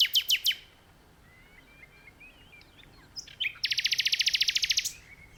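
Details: Nightingale in a tree: three loud descending notes, a quiet stretch of soft twittering, then an intense fast buzzing trill of evenly spaced pulses lasting about a second.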